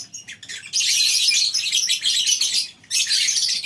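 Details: A crowd of lovebirds in a colony aviary at a breeding farm in the morning chatters nonstop, a dense wash of shrill, high squeaks and chirps, with brief lulls between bursts.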